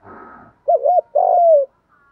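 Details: Spotted dove lure bird calling wild doves: after a brief burst of rustling noise, a wavering double coo and a long, level-then-falling coo ring out clearly.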